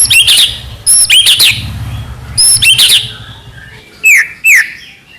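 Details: White-rumped shama singing in the trotol style: loud, clear whistled phrases with sharp descending sweeps, given in short bursts with pauses, plus a brief low rumble of background noise.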